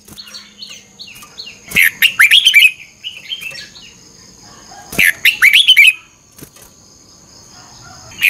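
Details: Morning red-whiskered bulbul song for training, 'chè căng lửa' style, double-twist voice: soft whistled notes lead into two loud phrases of rapid warbling, with another bird's faint chirps around.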